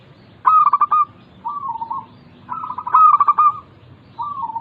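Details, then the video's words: ['Zebra dove, local type, singing as a lure for doves reluctant to sing: loud stuttering pulse bursts that run into a drawn-out coo, each followed by a quieter wavering coo, the pattern repeated twice.'] "Pancingan Burung Perkutut Lokal ampuh untuk mengatasi malas bunyi"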